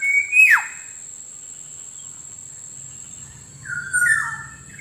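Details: Black-naped oriole call used as a lure for wild birds: a loud level note that drops sharply, then after a pause a few lower falling nasal notes, over a steady high insect-like hiss.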